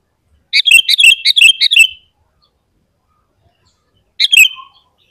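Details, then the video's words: Sooty-headed bulbul song for luring other bulbuls: a bubbly burst of about six quick chirped notes, a silence of roughly two seconds, then one more short phrase. "SUARA BURUNG KUTILANG GACOR Paling Ampuh untuk Pancingan dan Masteran Bikin Kutilang Ribut"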